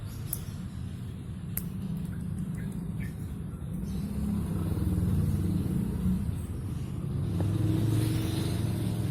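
Low, steady engine rumble of passing road traffic fills the recording, with a few faint sharp clicks and no animal voice.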